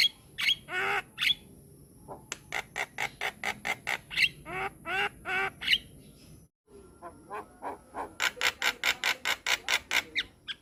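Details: Javan myna with white eyes singing vigorously, masteran recording: drawn-out grating squawks open, then fast bursts of dry rattling notes about two per second, a brief break, and a dense stuttering rattle at the end, with a constant high whine.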